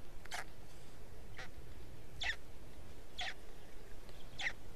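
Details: At an Estonian black stork nest on 20 May 2018, early afternoon, an arriving parent feeds chicks as the third one hatches; five short, harsh, breathy rasps spaced roughly a second apart over steady background hiss.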